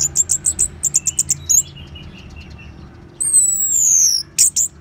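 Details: Orange-headed thrush singing in ngeban style, meant to trigger song in caged birds: a quick string of bright chirps, a soft descending twitter, then long thin whistles sliding downward and one final sharp note.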